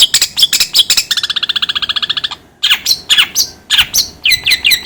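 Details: Long-tailed shrike uttering sharp chips, then a rapid nasal buzzing rattle of about twenty pulses, followed by harsh scratchy notes and whistled upslurs.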